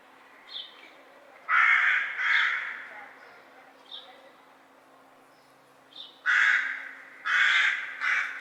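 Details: Crow calling in bursts of coarse, throaty caws, a pair early on and a group of three later, with softer short notes between.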